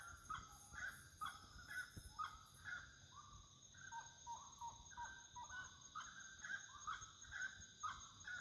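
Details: Wood rail singing at nightfall: a fairly distant series of mid-pitched hooting notes repeated about once a second, rising and falling in short phrases, over steady high buzzing insects.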